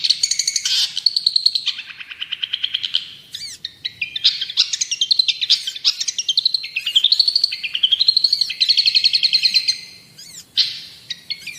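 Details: Long-tailed shrike in full song for training captive birds: varied high chattering phrases, rising slurred notes and fast repeated rattles running almost without break, with clean quiet background.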